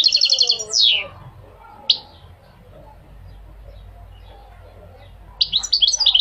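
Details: Goldfinch song played to encourage males and teach young goldfinches: a fast tinkling trill and downward slur, one sharp chip, a quiet pause, then a renewed burst of bright twittering notes.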